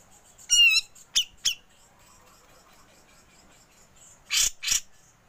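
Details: Grey-cheeked bulbul giving besetan and ngepik calls, recorded as training material for songbirds: one bright, buzzy rising note with ringing overtones, two short sharp piks, then after a pause two loud, harsh, rasping bursts.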